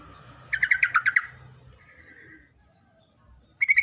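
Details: A female Sooty-headed bulbul calls for the male with a rapid chattering run of about seven bright notes. A fainter buzzy note follows, and a second loud burst starts at the very end.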